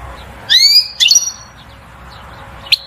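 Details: Goldfinch 'batbata' song for rousing the female to mate and build a nest: a rising whistle, a brief twittering phrase with a thin tail note, then a single sharp chirp after a pause.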